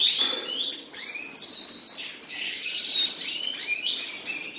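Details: Song from a pair of common nightingales: bright chirps and downward-sliding whistles in quick bursts, sometimes overlapping, with a short pause midway before the phrases resume more densely.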